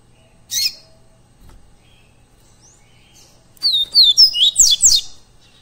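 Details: Double-collared seedeater singing live, a training recording for captive birds: after a lone sharp chip, a fast burst of high, clear whistled notes, each sliding downward, run together over about a second and a half, with little background.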